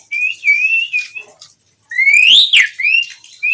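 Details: Asian pied starling song used as master song for training birds: loud clear whistles, a long steady note then a rising slurred whistle sweeping upward with harmonics, followed by a short whistled phrase.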